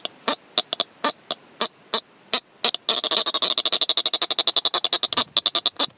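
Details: A pair of Atlantic yellow-nosed albatrosses allopreening and calling in courtship on Gough Island, Tristan da Cunha, September 2014: dry, rattling pulses, spaced clicks speeding into a fast, even rattle of about ten beats a second, then slowing again.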